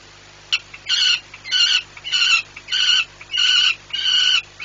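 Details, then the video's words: A peregrine falcon at the PKN Orlen plant in Płock, Poland, yelling while watching flights, 2 July 2017 around 9:40; harsh, strident calls repeated about every half second, seven loud bursts in a row over a faint steady hum. "Kefirek as flight observer. Even then he yells"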